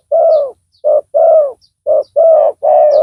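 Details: Strong-voiced spotted dove calling as a decoy to draw in a rival. A clear series of throaty coos, a brief note then a drawn-out sliding one, repeats quickly. Soft distant chirps sit in the background.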